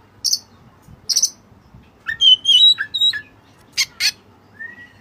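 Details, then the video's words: Oriental magpie-robin of the white-breasted form in full song, interlaced with Cililin-style phrases: sharp high chips, a rapid run of bright whistled notes mid-phrase, and a clear rising whistle closing. "Burung Kacer Gacor Isian Cililin"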